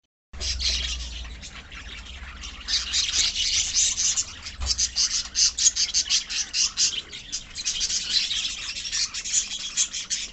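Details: Budgerigar colony, also called love birds, in a dense chorus of rapid high chirps and twitters that build after a brief low rumble at the start and continue without pause.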